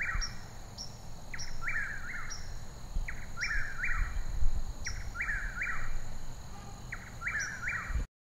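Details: Birds chirping in quick bursts of sharp, bright chirps, often doubled, repeating every second or so against a constant low hum and rumble, ending abruptly.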